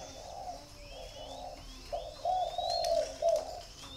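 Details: Spotted doves at a breeding aviary in Ba Vì, Hanoi, in breeding season, with tame hand-fed young birds, give soft, low, hollow coos in short repeated phrases, with thin high chirps from small birds in the background.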